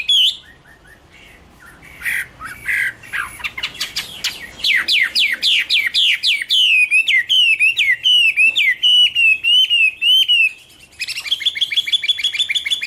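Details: Chinese hwamei singing: scattered sharp notes build into a fast series of loud repeated whistles, roughly three per second, followed by a wavering trill-like phrase.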